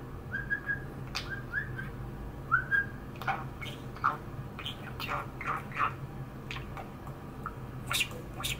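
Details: Pet male budgerigar, nine years old, indoors at a washbasin on a warm sunny day, chattering happily: soft warbled notes, short whistles and scratchy clicks at irregular intervals over a steady low room hum.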